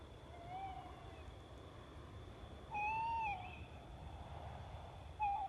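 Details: Tawny owl calling at night: a faint hoot, a pause, then a clear, steady hoot followed by a short, wavering final note, over soft low rumble.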